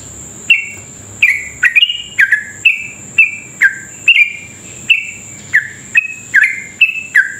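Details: Sooty-headed bulbul in long, rapid 'ropel' singing, used as a lure to spur other sooty-headed bulbuls into fast song: about fifteen sharp chirps, each dropping in pitch, fired in quick uneven bursts over a thin steady high whine.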